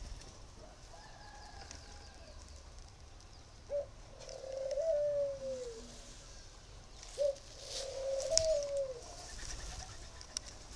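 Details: Spotted dove held by a breeder in Ba Vì, northern Vietnam, valued for its singing, gives two low cooing phrases about three seconds apart. Each opens with a short clipped note and ends in a falling slur, with quiet rural background noise.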